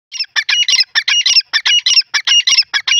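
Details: Francolin calling: dense bursts of harsh, squawky, rasping notes in quick clusters, each burst about a quarter second, following one another almost without pause, with no other sounds.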